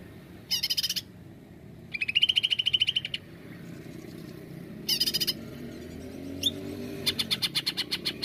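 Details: Cucak ijo, the greater green leafbird, singing 'nembak', played as a lure to make birds sing: four short bursts of rapid high buzzy pulses with a clear whistled trill in the second, separated by quiet gaps, and low background noise.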